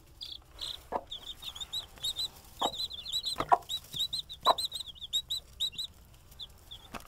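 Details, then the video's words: Mother hen with baby chicks: nearly continuous high, rapid peeping from the chicks, with four or five deep, short clucks from the hen spread across the recording and some faint clicks. "hen watching over baby chicks"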